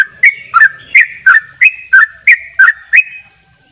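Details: Yellow-vented bulbul from Bali, singing actively in double ropel style: nine evenly spaced, bubbly two-tone notes, about three per second, each a bright rising flick and warbled drop, ending in quiet.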